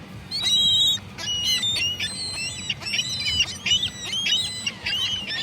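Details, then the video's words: Several gulls give loud, harsh, strained yelping cries in a dense run of overlapping notes, with barely a pause in the noisy, clamorous chorus. "Seagull noises"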